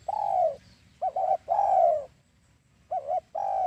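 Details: For trapping doves, a spotted dove lure call: long falling coos alternate with brisk double notes, a brief silence, then the pattern resumes.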